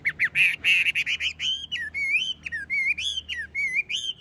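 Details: A domesticated Chinese hwamei kept in a cage sings loud, sustained whistles that waver and step between pitches, rich and flute-like, phrase after phrase without a break.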